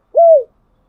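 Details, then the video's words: One smooth, steady coo from a spotted dove singing as a training lure for decoy birds, level at first and sliding slightly downward at the end, in silence. "tiếng cu gáy thúc bổi căng lửa và gáy goi bao sung, Tiếng cu gáy mồi chuẩn"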